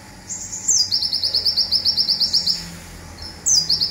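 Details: Local Indonesian olive-backed sunbird singing its fast zipper phrase for bird training: a high whistle falling into a long rattling run of about fifteen quick sharp notes, then a pause and a new downslurred start.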